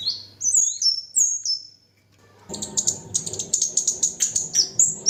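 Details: Lesser shortwing song: thin, very high whistles sliding downward, a short pause, then a rapid jumble of sharp high chirps with a low hum behind.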